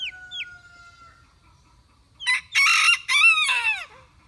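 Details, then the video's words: Tiny bantam rooster crowing: a loud, hoarse, broken crow in two bursts, the second stretched out and sliding downward at the end. It follows two short, high, falling chirps and a steady thin tone. "Bantam Rooster Crows!"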